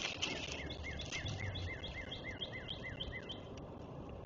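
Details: Eagle at the nest, 21 March 2024, giving a rapid run of high, rising-then-falling whistled notes, about four a second, over strong steady background noise.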